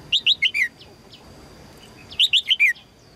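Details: A female red-whiskered bulbul calls to attract a strong male; two clear bursts of four or five bright chirps, each note sliding downward, the second burst following after a short gap.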